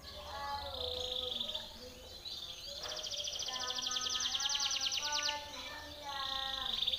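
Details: Timbrado canary singing a training song: high rolling trills, one rising into a rapid pulsed run in the middle, with softer lower whistled bands and steady background noise.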